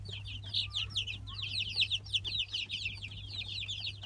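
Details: Light Brahma chicks at three weeks old, from a 2017 hatch, give rapid, bright, downslurred cheeps that overlap in a busy flock chorus, with a steady mains-like hum beneath.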